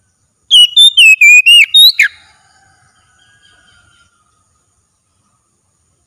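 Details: Oriental magpie-robin in a daily training session, singing at full strength: a quick burst of about six loud, clear whistled notes with sliding pitch, repeated four times a second, then silence.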